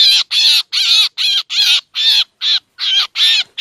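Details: Black drongo lure call used for bird trapping in the Lao and Thai Isan tradition, said to draw mynas too: harsh, scratchy, chattering notes repeated about two and a half times per second, ten bursts, no other sounds.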